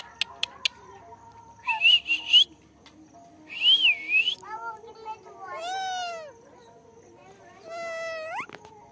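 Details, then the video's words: Alexandrine parakeet giving clear whistled calls: two wavering, warbled whistles, then two longer harmonic squawking calls that bend downward and then rise. There is a quiet background with a few sharp clicks at the start. "Alexander parrot clear shound!! Beautiful Nature Parrot Talking"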